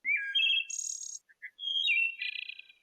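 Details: A Wood Thrush, a bird of deeper woods often heard late in the evening around twilight, sings two flute-like phrases, each a few clear whistled notes ending in a high, shimmering trill. No other sounds.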